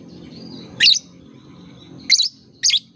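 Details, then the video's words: Chirping lovebird used as a prompting sound for young birds learning to sing: three sharp, high, scratchy chirps spaced unevenly over a soft low hum. "Suara terapi lovebird | kicau terapi lovebird paud"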